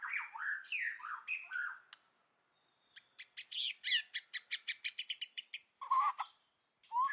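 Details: Forest-voice singing from a white-rumped shama. Slurred whistled phrases come first, then a silence, then a fast series of sharp, high clicking notes that speeds up. Lower whistles close the passage.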